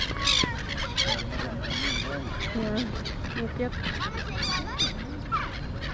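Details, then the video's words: Noisy flock of birds flying around a mall in Kuwait, giving many overlapping squawks and rising or falling tonal calls, amid a dense wash of crowd chatter and broadband noise. "Angry Birds at Marina Mall (Noisy Birds)"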